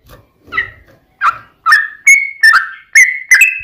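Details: Yellow-vented bulbul fighting song in long-roll style, used as a lure for other bulbuls to respond: soft, rough low notes at first, then increasingly loud clear whistles, level and downslurred, in quick succession.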